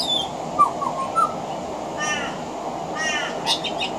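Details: Pied butcherbird at a veranda mixing mimicry of other Australian birds into its song: two short soft whistles early on, then raspy, harsh, repeated chattering bursts and brief high scratchy notes over constant background hiss.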